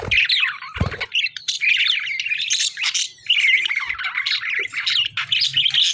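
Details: Lovebirds fighting with budgerigars, kept as pet birds: dense, shrill, chattering squawks around the middle-high range run almost without pause, with harsh bursts and rapid chirps overlapping from several birds at once.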